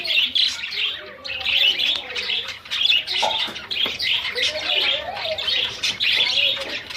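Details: Pet zebra finches, several birds kept together and flying about, producing a continuous busy chorus of short nasal chattering calls with no pause throughout.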